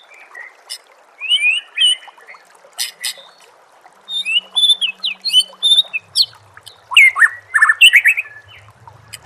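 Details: White-rumped shama in a masteran training compilation, singing a varied string of sharp whistles, quick chirps and fluty, twisting notes in rapid bursts with brief gaps, plus a faint low hum.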